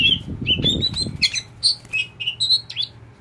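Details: Tame kacer poci oriental magpie-robin singing clear level whistles and short slurred notes in a quick sequence, with a low rumbling handling or flapping noise during the first second.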